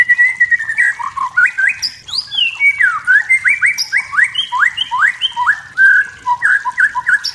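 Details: Wild forest white-rumped shama singing to provoke emotion in rivals: a dense, varied run of clear whistled notes, sliding up and down and delivered in quick, rhythmic bursts with almost no pause.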